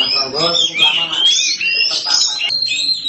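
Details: Black form of the Oriental magpie-robin (kacer hitam) in full gacor, singing loudly and without pause: a dense, continuous high warble of twisting whistles and scratchy notes, with a faint low murmur underneath.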